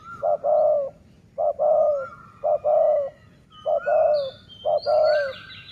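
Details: Dove cooing during decoy luring of wild doves in the sai mueang style: short double notes followed by a longer level coo, repeated about every second and a half, with thin high whistles from other birds.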